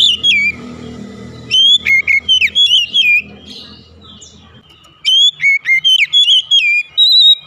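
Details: Oriental magpie-robin singing in the morning, with three phrases of strong whistled notes that flick sharply up and down, separated by short pauses and a low rumbling background.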